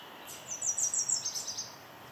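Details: A Nashville Warbler sings in spring migration at Mount Auburn Cemetery, Cambridge, Massachusetts: a very high, hard, loud series of repeated notes, then a quicker run of chips that stops abruptly, over a soft background hiss.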